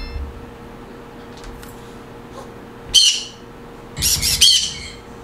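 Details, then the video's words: Green conure calls, said to create a happy mood: two bursts of harsh, noisy squawks, a shorter one and then a longer ragged one, over a steady low hum. "Green Conure Sounds. Creates Happy mood"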